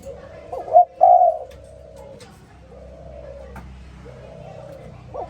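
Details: Spotted dove in the morning: a short note and one loud, drawn-out croo stand out, followed by quieter, distant-sounding coos over a steady low hum.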